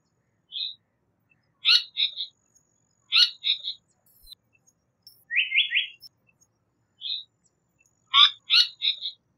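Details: Japanese paradise flycatcher calling, with sharp clicking chirps in quick pairs and triplets about every one and a half seconds, a single higher note, and one run of three rising whistles in the middle.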